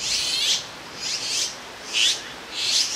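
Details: Azure-winged magpie fledglings, grown too big for the nest, perched side by side on a branch in Jirisan National Park, waiting for a parent to bring food; four raspy, hissing begging notes spaced about half a second apart.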